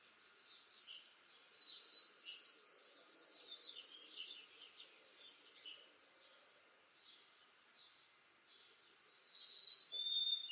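White-throated sparrow singing long, pure, high whistled notes held steady, then stepping slightly lower, with softer chips and twitters from other birds between phrases.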